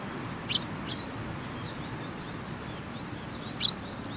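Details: Sparrows recorded on 27 November 2017: two short, high, sharp chirps about three seconds apart, over a steady low background hum.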